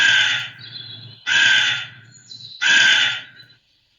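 A crow gives three harsh, hoarse caws, each about half a second long, spaced a little over a second apart, with nothing else heard.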